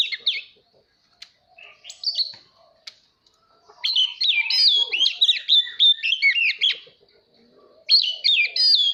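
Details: Singing Oriental magpie-robin, meant to coach young birds and trigger competitive song: scattered short whistles, then a sustained fast stream of bright warbled notes, and another loud burst at the end.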